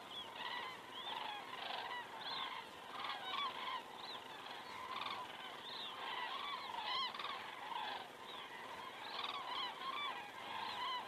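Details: Flock of common cranes passing overhead in Estonia on 19 September 2017 at ten past seven in the evening, picked up by a crane cam: many overlapping bugling, trumpet-like calls, rising and falling in a continuous clamour, with a few sharper higher notes.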